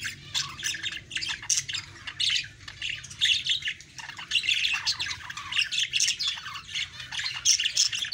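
Budgerigars chatter in a busy, continuous stream of scratchy chirps and squawky warbles.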